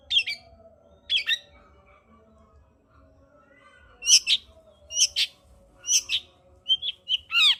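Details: Long-tailed shrike singing, played to stir a reluctant shrike into song: grating scratchy notes in pairs with pauses, then a tighter run of rasping calls and a short sharp whistle at the end.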